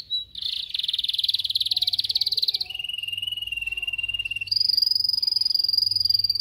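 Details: Canary training song: a rapid buzzy rolling trill, then a long steady lower pulsed roll, then a higher, bright, rapidly pulsed roll, each held for about two seconds, with faint low hum.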